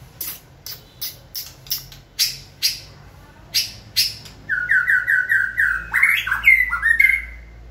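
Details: White-rumped shama being stimulated to sing in training: a run of sharp clicking sounds, then a rapid series of repeated, slightly descending whistled notes ending in varied warbles.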